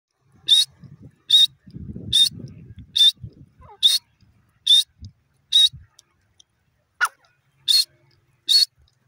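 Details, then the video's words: Francolin, known locally as teetar, calls in loud harsh rasping notes repeated about once every 0.8 seconds, ten notes in steady rhythm, with soft low rustling and thumps beneath. "teeter bird playing, teeter ki awaz, teetar bird ki awaaz"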